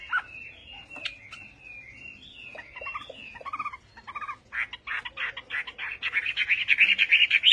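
A Chinese hwamei sings loud, varied whistled phrases that build into rapid, ringing runs of repeated high notes, several per second.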